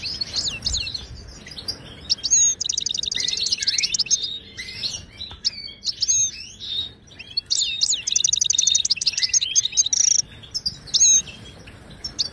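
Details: European goldfinch, Moroccan wild bird singing the Ouidani style, meant as a tutor song for silent caged birds: rapid tinkling phrases broken by brief pauses, with rattling trills of quickly repeated notes and clear whistles.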